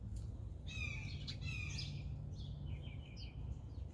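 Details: A blue jay feeding on peanuts gives a rough, buzzy call with rich overtones, followed by softer, wavering notes and one brief high squeak. A low background rumble is heard throughout.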